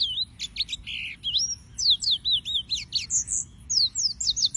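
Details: Yellow-fronted canary, Serinus mozambicus, singing a dense chattering series of high twittering notes and trills, packed closely and sustained through the whole stretch.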